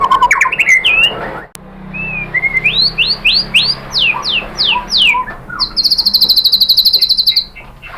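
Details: White-rumped shama provoking song for a caged bird: a few short notes, then a series of loud rising whistles repeated about twice a second, ending in a long high buzzy trill.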